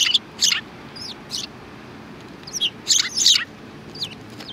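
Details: Several sparrows, recorded on 2 January 2019, give loud, high chirps and twitters in short bursts, with clusters near the start and the end, over soft background noise.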